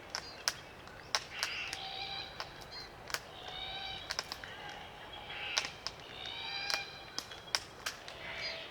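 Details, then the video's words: Glossy Black Cockatoos feeding in Australian bush on Allocasuarina cones, Macleay River valley, NSW; soft creaking, braying calls recurring throughout, punctuated by loud clicks from feeding. "Glossy Black Cockatoo Sounds - Creaky calls & clicking sounds while feeding"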